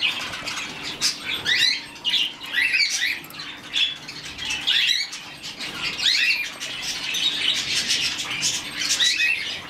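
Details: Hand-reared budgerigar chick, rescued as a baby, calling in grouped squawky chirps with fast rising and falling inflections. Each burst lasts about a second and repeats irregularly throughout.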